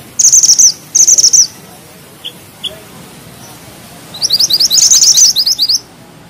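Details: High-pitched bushchat song in a dense rolling style: two short trilled phrases, two faint single chips, then a rising, rapidly repeated series of sharp, slurred notes building into a fast chatter.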